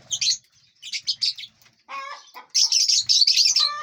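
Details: Lovebirds in a large aviary, eating seeds, fruits and vegetables and flying freely; bursts of high, rapid chattering chirps in clusters, with a lower harsher squawk near the middle and faint wing flutters.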